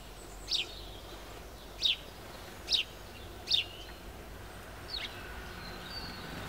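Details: Great spotted woodpecker at close range: five short, sharp, high 'kik' calls spaced roughly a second apart, the last one softer, over steady background noise with faint distant bird notes.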